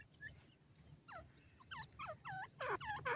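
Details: Grey francolin in the forest: a series of nasal, curved notes that speed up and grow steadily louder toward the end, over low background rumble.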